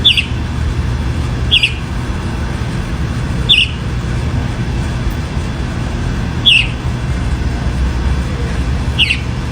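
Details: Chalk-browed mockingbird singing a lot in open natural countryside; short bright notes near the upper-middle range repeat about every two seconds, five in all, over a steady deep rumbling background noise.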